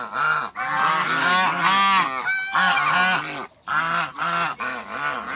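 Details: Three farm African geese keep up a chorus of loud, harsh honks in long overlapping runs, broken by a couple of brief pauses.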